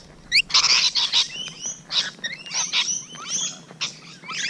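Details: Morning of 12 June 2017 with Rainbow Lorikeets close at hand: strident screeches alternate with rising and falling whistled squeals, several birds calling over one another.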